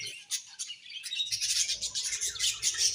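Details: Chirping from a happy colony of budgerigars, sharp high chirps in quick pulses over a constant background of warbling chatter.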